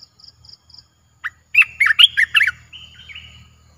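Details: Caged streak-eared bulbul recorded 29 June 2021 in Thailand, a new bird in its keeper's collection, gives one fast, lively phrase of rich warbled notes ending in a thinner drawn-out trill. Soft high pips come first, over a low hum.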